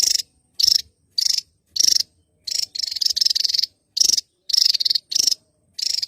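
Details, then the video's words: Javan tesia, a bird endemic to Java, singing actively with high, dry, pulsed rattles in uneven bursts, some run together into a longer chatter at mid-clip. "tesia jawa gacor"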